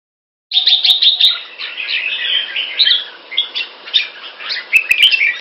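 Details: Captive red-whiskered bulbul kept in Singapore, singing in the Pama Dha (Burmese Sword) style, clear and loud: dense warbled phrases of bright chirps and slurred notes, with sharp clicks and a faint steady low tone early on.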